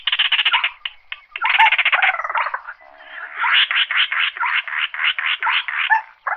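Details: Slaty-breasted rail calling the flock with almost unbroken grating, stuttering rattles of rapid harsh pulses.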